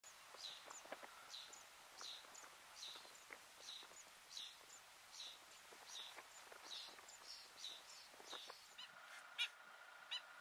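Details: Wood sandpiper in the Ebro Delta, Spain, in August 2015, giving high, thin whistled notes about twice a second over steady outdoor hiss, with a few sharp clicks near the end.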